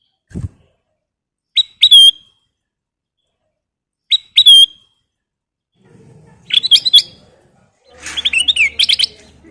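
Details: Ruby-throated bulbul in lively song: two clear whistled double notes, each sliding down, spaced about two seconds apart, then a denser run of quick, bright twittering chirps; a soft thump opens the recording.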